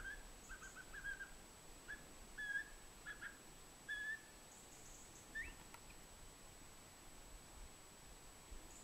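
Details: Pygmy owl; a series of short, clear whistled notes repeated at irregular intervals, with some brief scratchy sounds and a faint steady high tone in the background.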